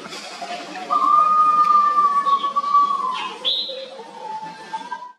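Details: Bruce's green pigeon, a fig-eating specialist: a long steady mellow whistle that sags at the end, then a softer rising whistle; faint higher chirps from other birds behind.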